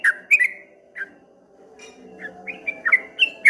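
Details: Streak-eared bulbul song in a rattling, wave-like style: scattered short bright notes, some with sharp clicks, separated by pauses, with a faint steady hum underneath.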